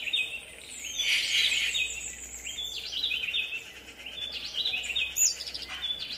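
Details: Yucatan jay calling: a dense run of rapid, harsh, chattering notes from several overlapping voices, uneven in rhythm, with a louder burst near the start and another near the end. A faint low hum runs underneath.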